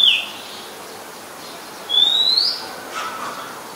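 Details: Oriental magpie-robin in Ubon Ratchathani, Thailand, on 17 July 2021: a brief downslurred note, then one long rising whistle, over quiet rural background.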